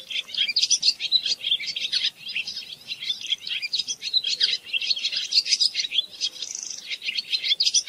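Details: Unbroken twittering from a barn swallow, dense high chirps and scratchy warbled notes tumbling together in a lively stream, rising and falling in intensity across the whole stretch with no other sounds.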